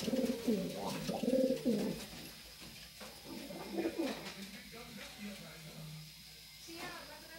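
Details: Racing pigeons kept in a loft in Francisco Sá, Minas Gerais, Brazil; a loud, throaty, bubbling coo rolls for about two seconds at the start, then softer murmured coos and faint shuffling follow.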